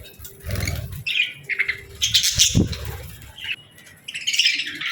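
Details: Budgies chirping and playing before bedtime, short grating chirps and warbles mixed with wing rustles and low thumping sounds.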